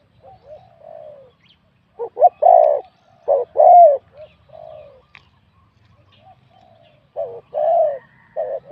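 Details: Wild spotted dove from a singing competition, mid-to-large voice, 87 points; soft faint coos at first, then louder short-long coo phrases, with quieter background coos between.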